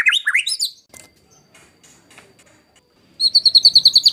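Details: White-rumped shama master song for training competition birds, harsh style: a burst of rising whistled notes, a quiet stretch of faint clicks, then a rapid high trill of repeated notes.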